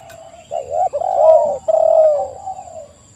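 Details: Spotted dove (tekukur) singing a lure phrase: one long, wavering coo sequence, a short soft note, then two drawn-out burred coos that trail off quietly.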